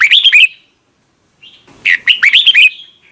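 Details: Red-whiskered bulbul delivering double-note morning song in a wild-bird style. A short, chirpy warble is followed, after a near-silent gap, by a longer phrase of loud notes that swoop up and down.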